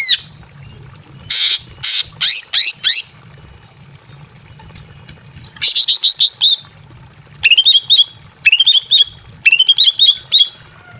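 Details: Breeding-condition female greater green leafbird calling a male in a simple aviary: clusters of rapid buzzy chattering notes, then repeated groups of short, quick up-and-down whistled notes, low hum behind.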